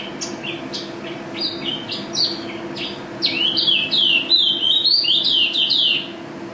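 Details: National first-place pleci, a mountain white-eye, in full gacor ropel song: scattered high chirps building into a loud, continuous run of rapid warbling whistled slurs, over a low steady hum.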